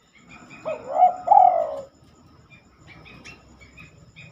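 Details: Spotted dove singing at night, which it rarely does: a low, mellow cooing phrase of a short note, a wavering middle note and a longer drawn-out final coo. Soft, faint chirps follow after a pause.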